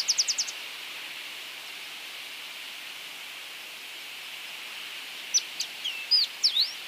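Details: Drakensberg siskin (Crithagra symonsi) song: a quick burst of high, rapid twittering notes, then a steady hiss, then more tinkling, jumbled twitters near the end.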